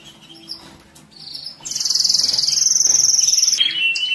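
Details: Tutor song of a canary for birds in moult and rest: soft scattered notes, then a loud, very high, rapid rolling trill held nearly two seconds, ending in a lower quick trill.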